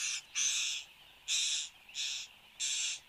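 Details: Male satin bowerbird performing at the bower in Australia, 10 January 2015, early morning: loud grating, hissing buzzes in a steady series, each burst about half a second, separated by short pauses.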